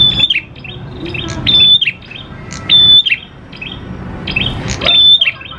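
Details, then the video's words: Energetic prinia singing, a lure to draw prinias into song: four loud phrases, each starting with a clear level whistle and breaking into quick high chirps, with quieter chatter between. "PANCINGAN PRENJAK KLAWU GACOR, NGALUN BIKIN PRENJAK CEPAT BUNYI"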